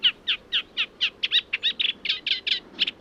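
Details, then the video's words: Eurasian reed warbler song played back at Gibraltar Point, Lincolnshire. It is quieter, lower pitched and less imitative than a sedge warbler's. Chattering churring notes follow steadily, about four or five a second, with a low background hum. "Let's have a listen. This is the Reed Warbler."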